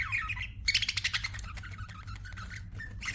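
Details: Budgies calling: a warbled phrase, then a rapid run of clicking pulses and softer chirps, over a low background hum.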